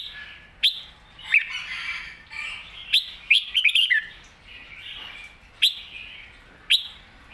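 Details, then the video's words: Red-whiskered bulbul, excited, giving softer whistled warbles between loud sharp clicking notes, with a short burst of rapid twittering in the middle. "นกกรงหัวจุก ร้องชัดจัดเต็ม"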